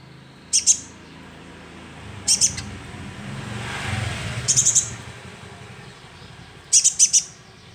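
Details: Sunbird chick sound used for luring: tight bursts of two to four very high chips every couple of seconds against hissing background noise.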